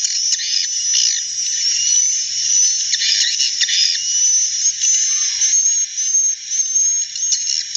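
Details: Edible-nest swiftlets in a natural recording, many birds calling together in a steady, high-pitched buzzing chatter, with a faint thin whistle line throughout and brief louder chirp bursts.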